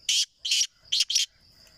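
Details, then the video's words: Home-bred black francolin (kala teetar), kept by a breeder: four harsh, rasping bursts, two longer then two quicker ones in a close pair, over a faint steady high tone. "Kala Teetar ki Awaz"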